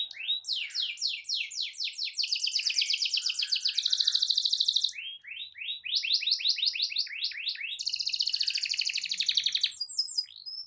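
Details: Prolific canary song with long rolls, used to incite other canaries to join in; repeated bursts of rapid downslurred notes lead into fast, even trills, with the pattern repeating twice.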